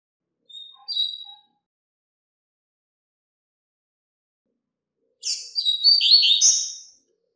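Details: High song of a double-collared seedeater used to teach young birds, a brief whistled note then silence, then a dense rush of rapid buzzy, chattering phrases lasting nearly two seconds.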